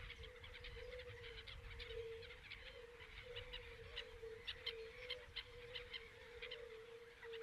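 Whiskered terns give short, harsh rasping calls, several birds overlapping at an irregular pace, over a steady low droning hum.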